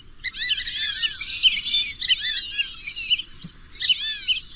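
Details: Wild duck chattering almost continuously in rapid, overlapping high squeals and slurred notes, with a low rumble beneath.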